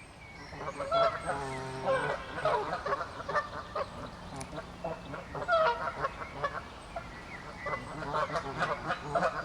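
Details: Canada geese in a territorial dispute, honking loudly and repeatedly in overlapping, nasal, harmonic calls that rise and fall throughout, with several birds calling at once in bursts.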